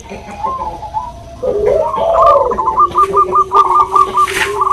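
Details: Bangkok-type zebra doves, a female calling to the male with the nutut sound; soft coos at first, then a fast run of clipped repeated notes over a steady lower cooing line.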